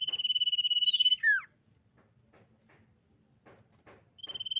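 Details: Female common iora singing to lure others into song: a fast trill ends in a falling whistle, followed by a pause with faint clicks before the next trill starts.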